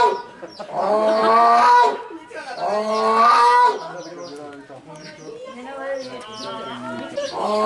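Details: A 20-year-old grey crowned crane kept at Yukyuzan Small Zoo, recorded 19 March 2023, gives two strong nasal honks with rising harmonics. Softer, rougher murmuring and background voices follow in the later seconds.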